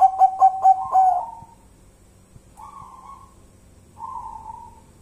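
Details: Quick series of four mellow, level coos from a local zebra dove, merging into a longer wavering note, followed by two softer, slightly higher drawn-out calls from further off.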